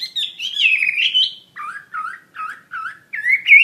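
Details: Wambi mandarin bird singing actively: a wavering whistled phrase, then four separate lower, buzzy dipping notes spaced evenly, closing with a bright rising whistle.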